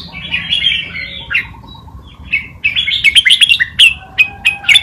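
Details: Red-whiskered bulbul acting as a tutor bird, singing the Pa Malutin song style played to teach young birds. A softer warbled phrase leads into bright, chirpy whistled notes in quick bursts, with faint low background hum.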